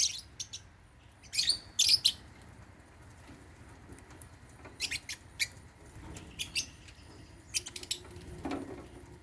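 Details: African lovebirds at meal time eating holy basil in a cage give sharp, high, scratchy chirps in short clusters, some doubled, with quiet gaps of a second or two between bursts.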